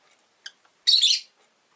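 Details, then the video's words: Orange-faced, green-bodied rosy-faced lovebird in a cage by a window, one of five birds, giving a brief squeak then a long harsh grating screech lasting about half a second. "Lovebird Chirping Sounds"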